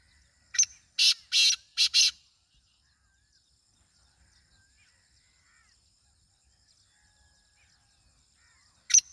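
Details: Black francolin calling: a quick burst of four harsh, grating, rasping notes over about a second and a half, the middle ones longest, then a long quiet stretch ending in one more sharp rasp.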